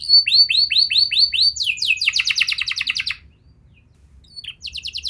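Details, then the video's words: Young canary song used to coax young canaries into singing: a string of rising whistled sweeps, a fast buzzy trill, silence, then a brief trill starting again. "Pancingan Burung Kenari Muda! Ampuh Buat Mengatasi Kenari Muda Susah Gacor"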